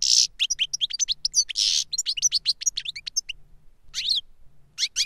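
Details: Caged European goldfinch, a tutor bird, singing to teach a young goldfinch: rapid high twittering of sharp chirps and buzzy notes in a fast continuous run, then a pause and a few more bursts.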